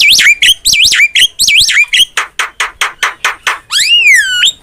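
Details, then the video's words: Javan myna in energetic song, used as a tutor recording for training songbirds: clear whistled notes rising and falling in quick repeats, then a series of short sharp chips and a long swooping whistle at the end. "MASTERAN JALAK KEBO GACOR"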